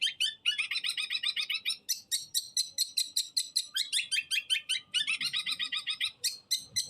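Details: Long-tailed shrike singing a continuous, non-stop 'los trotol' style song: dense rapid chattering of harsh, buzzy notes, high-pitched and repeated more than twice a second, with a short pause midway before resuming.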